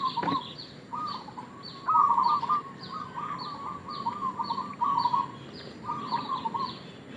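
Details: Local zebra dove giving a lure call used as bait: a run of soft, trilled coos at a steady low pitch, grouped in short phrases about a second apart. Another bird repeats thin, high, downslurred chirps behind it.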